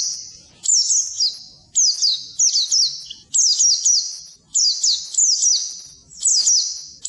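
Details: Training song of an Oriental white-eye for birds that won't trill: a run of high, sweet, slurred whistles in short phrases of two or three notes, repeated steadily with brief pauses.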